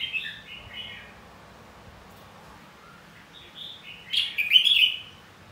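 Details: Red-whiskered bulbul giving a fighting song meant to stimulate other bulbuls to sing and fight-sing: faint, fluttering whistled phrases early on, a quiet pause, then a louder burst of rapid warbled notes near the end.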